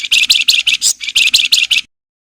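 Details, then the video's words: Flowerpecker singing actively in the nyiul and nyerecet styles: rapid, dense, buzzy bursts of high chattering notes, about ten in under two seconds, with a short break midway. "SUARA MERDU BURUNG FLAMBOYAN GACOR NYULING, NYIUL NYERRECET"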